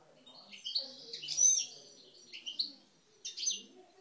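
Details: Algerian parva European goldfinch, kept bird, aggressive coupleur song: short bursts of high twittering and chirping separated by quiet gaps, with a final brief buzzy phrase.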